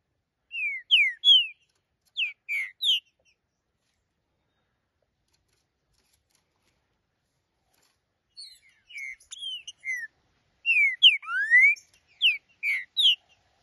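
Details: Green-winged saltator held in the hand, singing loud, clear whistled phrases of slurred notes, some falling and some rising. A first burst of phrases, a pause of several seconds, then a longer run of notes. No other sounds.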